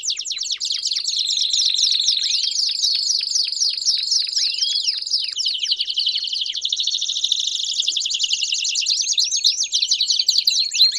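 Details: Group of Belgian canaries singing at once: rapid repeated down-slurred whistles for the first half, then a dense, high rolled trill with scattered rising notes layered over it.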